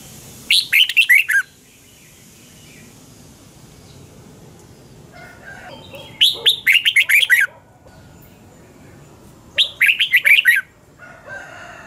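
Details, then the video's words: Red-whiskered bulbul morning song, 'double-twist' voice style, recorded 2020 as lure song for training other bulbuls: three matching phrases of five to six rapid, bubbling whistled notes, spaced about four seconds apart. "Luyện chào mào hót sáng 2020 chào mào giọng xoắn kép Quá hay"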